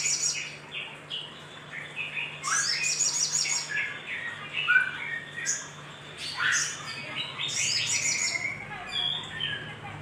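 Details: Lively little spiderhunter calling meant as a lure for other birds: clusters of quick, high, scratchy chirps and short upward-sweeping squeaks in uneven bursts, over a constant low electrical hum.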